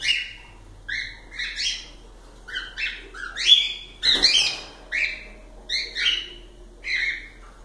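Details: Several calopsitas, pet cockatiels, sing a lively string of short upward-sweeping chirps about once a second, with one louder noisy burst midway.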